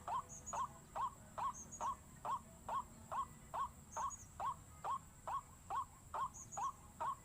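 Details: Repeated white-breasted waterhen calls from a panic-inducing lure: brisk, rising, clipped notes in a very even rhythm, about seventeen in seven seconds.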